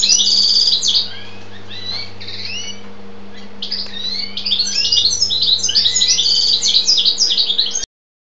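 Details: European goldfinch, described as a jilguero pisón, pouring out a fast tinkling twitter of high liquid notes and slurred trills, pausing briefly mid-phrase, over a steady low electrical hum.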